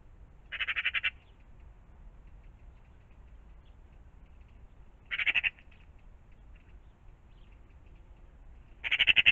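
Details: Magpies in the morning in and around a pond: one gives three harsh, rapid rattling bursts, each about half a second long and spaced roughly four seconds apart, over a low rumble.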